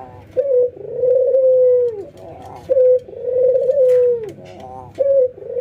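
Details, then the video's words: Routine training of ringneck doves, a white albino against a local bird, both nodding and laughing; two long rolling coos falling away at their ends, each preceded by a short bright note and stuttering chuckles. "puter putih albino versus puter lokal ngangguk dan tertawa"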